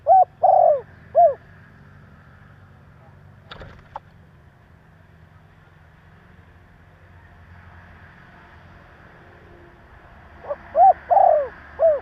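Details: Male spotted dove cooing to provoke other doves: a phrase at the start, a long quiet stretch with a brief click, then another short-short-long-short phrase near the end over faint low rumble.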